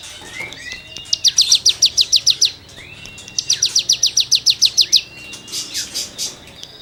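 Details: Rasping cigun song for songbird tutoring: two strings of about ten quick, sharp high buzzy notes, each led in by a curved whistle, then softer trailing notes.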